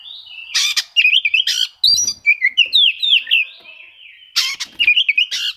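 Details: Oriental magpie-robin song used to provoke hard-to-sing magpie-robins, the bird seeking rivals: rich warbled whistles rising and falling, punctuated by harsh raspy bursts, two busy phrases split by a quieter gap.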